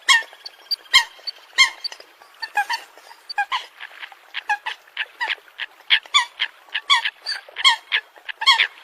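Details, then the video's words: Coot calls: short, nasal, harmonic notes repeated in quick, irregular runs by several birds. Some notes are louder and closer, and there is no other clear sound. "Tiếng Chim sâm cầm"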